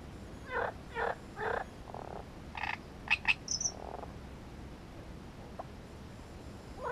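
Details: Great reed warbler song of rasping, croaking syllables given in a quick series of three, then sharper clicking notes and a brief high whistle, followed by a lone later note.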